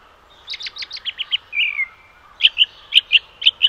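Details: Robin calling: a quick series of sharp, high ticking notes, then a short buzzy slurred note, followed by loud, bright, evenly repeated clipped notes about every quarter second.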